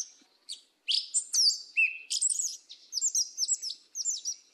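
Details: In the southern 'mateiro' style, a Yellow-legged thrush pours out a continuous varied song: high bright whistles, a low flat note, then a quick series of repeated chirping trills.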